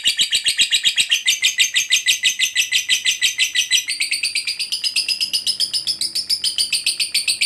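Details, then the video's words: Ngekek chatter of a fighter lovebird, meant to get quiet lovebirds singing: a quick, steady train of scratchy, high-pitched pulses that thins and climbs slightly in pitch during the second half. "LOVEBIRD FIGHTER NGEKEK PANJANG_TERAPI JITU PANVING LOVEBIRD MACET JADI GACOR RAJIN BUNYI"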